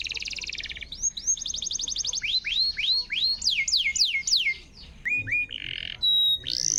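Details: Canary song meant to coax a canary that has stopped singing: fast buzzy trill, then series of repeated downward-curving whistled notes, quicker rising sweeps, short steady tones and a final upslurred whistle.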